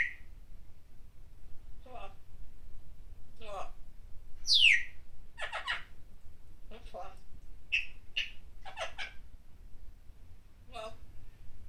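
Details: Caged pet parrot in a small room, cheering "Go! Jeremy!" for Jeremy Lin during his game; a string of raspy, speech-like bursts, a loud descending screech and short whistled notes, with a person talking faintly.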